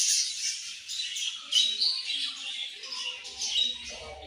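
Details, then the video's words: Budgies chirping together, a steady flow of high warbles and short whistled notes, with faint clicking sounds lower down. "Very Beautiful Budgies Chirping Sounds"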